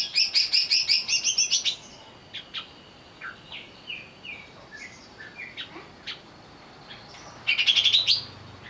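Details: Greater green leafbird provoked into agitated song for a lure recording: a long rapid string of high pulsed notes, quieter varied whistles and chips, then another fast rising chattering burst.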